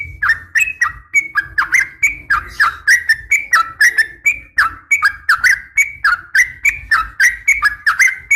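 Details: Female Sooty-headed bulbul calling a male: a fast, uneven run of sharp, slurred chattering notes, dropping and rising, about three or four per second, over a low steady hum.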